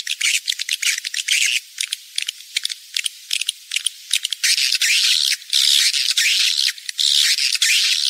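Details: Rainy-season mating lure of swiftlets: harsh, buzzy chattering that builds into long, continuous, hissy twitter bursts in the second half, broken by short gaps and scattered clicks.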